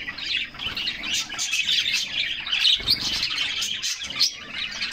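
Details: A group of canaries splashing in a summer bath gives dense, chattering high song of chirps and trills, with a low splash of water just before the third second.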